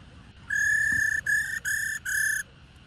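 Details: A wild-caught female black-throated laughingthrush gives her 'ro' call to set males singing: four steady, reedy notes at one pitch, the first longest, separated by brief pauses, against a quiet background.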